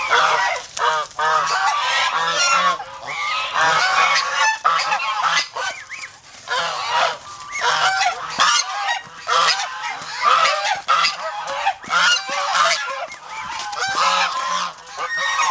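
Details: Domestic geese from a guarding flock in the Philippines keep up a long, noisy chorus of harsh honks and rasps in rapid irregular bursts.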